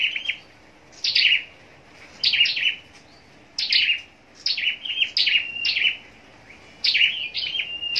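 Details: Contest-singing scarlet-backed flowerpecker in captivity, delivering shrill high twittering phrases of quick descending strokes, each burst lasting under a second, with near-silent gaps of about a second between.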